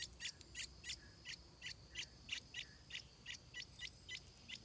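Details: Stripe-throated bulbul young before their first flight, calling with crisp high chirps in a fairly even series, roughly three each second, backed by a continuous high-pitched insect drone.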